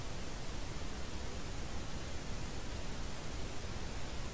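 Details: Steady, unbroken hissing static fills the whole recording, with no animal sound to be heard.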